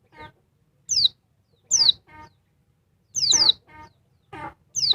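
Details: Agitated female oriental white-eye, Dakun Bali type, stirring up a male: thin, steeply falling high chirps, sometimes doubled, mixed with lower harsh banded chattering notes and short gaps of silence.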